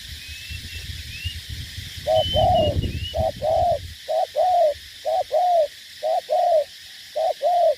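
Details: Spotted dove, a decoy bird used for ground decoy fighting in Ca Mau, Vietnam, giving soft hollow coos in short-then-long pairs, about six pairs over several seconds, after an opening stretch of low rumbling noise and faint high chirps.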